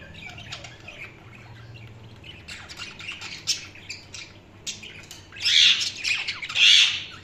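Budgerigars chatter in quick, scratchy chirps and warbles, building to louder squawky bursts near the end; a faint low hum sits underneath.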